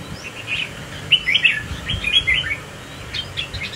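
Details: Close-up red-whiskered bulbul joining a group and swaying as it displays; a quick burst of bright, jumbled chirps between about one and two and a half seconds, with fainter tweets before and after over a low background hum.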